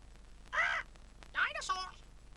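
A cockatoo gives two harsh, raspy screeches, each under half a second, about a second apart, over a faint low hum and a hint of voice.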